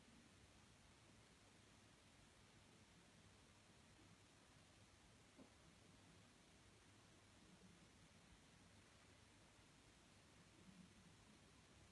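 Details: Only a faint, steady hiss with low rumble and a soft rustle; no animal calls can be made out.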